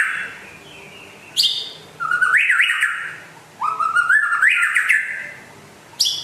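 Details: White-rumped shama from West Aceh, described as rare and a keen singer: sharp high chips interspersed with rising, warbled whistled phrases, delivered in bursts separated by brief pauses.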